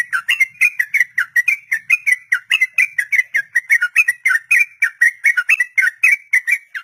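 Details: Captive-training recording of a sooty-headed bulbul in long 'ropel' song: an unbroken run of bright whistled notes, roughly four each second, alternating slightly higher and lower pitches, with no other sounds.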